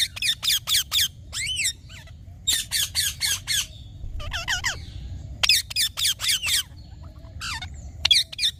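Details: Green talking parrot delivering sharp, repeated squawks in rapid runs of three to five, broken by curving warbled calls and brief pauses.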